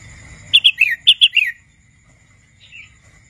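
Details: Young wild red-whiskered bulbul at the age of learning to sing gives two matching bursts of three bright, whistled notes in quick succession, each ending in a falling slur, followed by one soft, quiet note.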